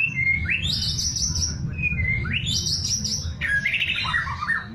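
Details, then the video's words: White-rumped shama singing in the kretekan style, said to be sought after by contest judges and to set a silent shama answering at once: a short steady whistle, then a rising sweep into a harsh, held high note, repeated twice, then tumbling notes over low hum. "KRETEKAN murai"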